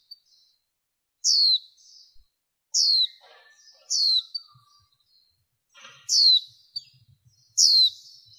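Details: Lure recording of a female warbling white-eye, cleaned of background noise, for exciting males: five bright downward-sweeping chirps in uneven spacing, interspersed with quiet high chatter.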